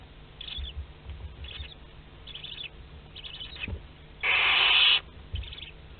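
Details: Hatching day for a second barn owl brood in a Théding nest box, 22 August 2021: soft, wheezy short hisses, one strong drawn-out hiss near the end, and a few light knocks.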